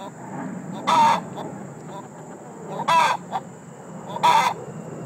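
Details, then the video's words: Egg-laying song of a hen that just laid: three loud raucous cackles about a second apart over a noisy murmuring background and a constant high tone. "Egg laying song"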